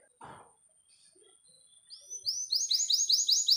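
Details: Young canary song used as a stimulus for canaries that have stopped singing, aiming for a long, clear roll; a soft thump opens, then repeated rising whistled notes build into a fast, loud trill near the end.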